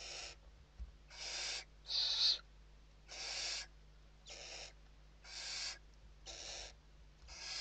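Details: Western barn owls at the nest in Spain, filmed during evening feeding on 29 November 2023, utter regular wheezy screeches roughly every second, each a short broadband rasp, with one brighter whistled note midway.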